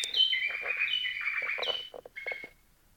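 White-eared bulbul: a quick run of bright, liquid whistled notes over about two seconds, some held and some sliding, ending in a short whistle.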